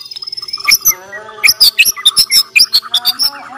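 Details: Bornean white-rumped shama singing as a fighting challenge: a fast series of piercing high whistled notes and clipped chips, about a dozen strong bursts in quick succession over a faint low buzzing background.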